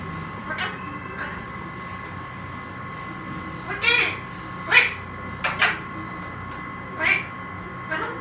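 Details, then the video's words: Talking Alexandrine parakeet giving loud, harsh, broadband bursts with harmonic tones, several short calls spaced irregularly about every second over a steady background hum. "World best talking Alexander parrot | bolne wale tote"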